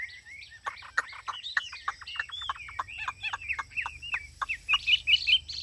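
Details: Cage-kept Chinese hwamei in ngũ trường song style on a hot day: a quieter run of short slurred whistles mixed with sharp clicking notes, ending in a brighter burst of chattering high notes.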